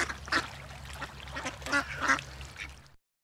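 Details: Several ducks swimming together on the water, alongside great white pelicans, give a brief run of scratchy quacks. Two louder calls stand out against softer ones before the sound cuts off abruptly.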